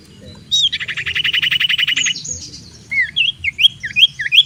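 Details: Sirtu or cipoh, the common iora, in persistent song meant to lure rival birds to fight: a rapid buzzy trill of evenly spaced pulses for about a second and a half, followed by repeated looping whistled phrases; faint low hum behind.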